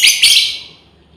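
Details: A female lovebird calls out to its flock mates with two strident, rasping squawks in rapid succession, the second longer and fading gradually.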